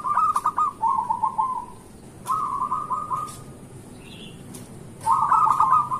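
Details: Local zebra dove in lively morning song used to lure lazy doves into singing: three bursts of rapid, rolling cooing notes, each run lasting one to two seconds, separated by short pauses.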